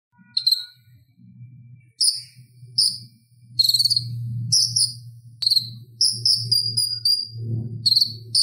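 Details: Purple-throated sunbird, known locally as konin, singing a lively chattering song used as tutor audio for kolibri ninja: thin, high, harmonic notes in short bursts, some held, over a steady low hum.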